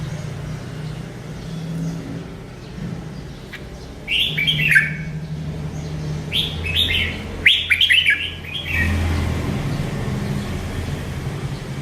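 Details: Bulbul (Merbah Lekir) sweet song: two short bursts of bright, slurred, falling whistled notes, with a steady low hum throughout.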